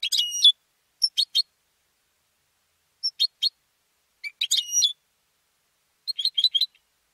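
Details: Captive competition goldfinch song alternating tinkling whistled bursts with triplets of sharp chips, closing with a quick run of four rolling notes; silent background.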